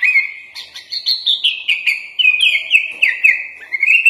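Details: Sooty-headed bulbul (kutilang) singing a full-isian song used as a master recording, a continuous chain of crisp whistled notes, rapid and slightly jerky, stepping down in pitch then rising again at the close.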